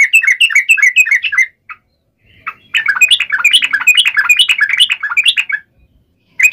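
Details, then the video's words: Yellow-vented bulbul in the ngalas uplik ropel fighting style, played to draw replies from other bulbuls: a quick run of sharp chattering notes, about a second of near silence, then a longer, denser burst of bubbly warbled phrases that stops abruptly. "trucukan gacor TARUNG NGALAS UPLIK ROPEL"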